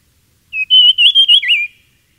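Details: Dusky fulvetta, a bird of the understory and grass at middle and low altitudes, gives one quick, high whistled phrase of about five linked notes, wavering and ending in a dip, over near silence.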